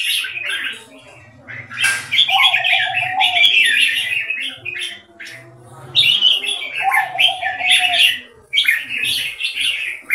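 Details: Caged red-whiskered bulbuls competing in a singing contest: repeated rich, chattering, fluty phrases in bursts of two to three seconds with brief pauses, low murmuring voices in the background.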